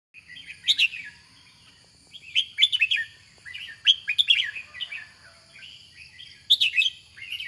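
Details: Red-whiskered bulbul, a kept competition songbird, singing bright warbled phrases of quick slurred whistles in bursts, with pauses and softer chattering notes between, over a faint steady high tone and low background rumble.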